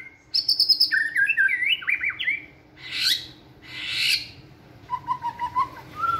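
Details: Energetic song of a caged white-rumped shama in a flight cage during training: high ringing notes and twisting warbles, two harsh rasping bursts, then soft low whistles.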